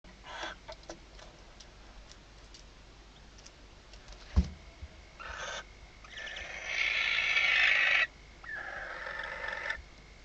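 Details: Barn owls inside a nest box at Reserva Natural Riet Vell, Delta del Ebro, at night on 21 October 2025, as the male brings the first prey. Harsh hissing screeches grow loud and long, with brief clicks before them and a steady electrical hum.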